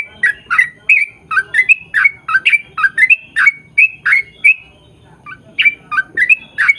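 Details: Sooty-headed bulbul in full song, played to prompt birds of the same kind to sing back; fast rollicking series of bright, squeaky slurred notes, a short pause near the fifth second, then the run resumes.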